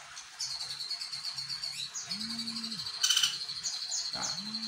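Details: Competition white-rumped shama singing its bar-winged prinia imitation: a thin, high, buzzy trill held steadily for several seconds, briefly broken by a louder burst, over a faint low hum.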